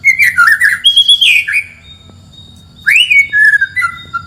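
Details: White-rumped shama song meant to provoke a neighbour's bird: wavering warbled phrase and a sustained high whistle, a pause, then a rising slur dropping into falling whistled notes.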